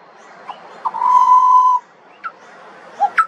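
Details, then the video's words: Australian pied butcherbird, a juvenile, giving a long level pure whistle framed by scattered short upslurred notes and brief sharp calls, with soft background hiss. "Butcherbird. Bird Singing. Bird Call and Sounds"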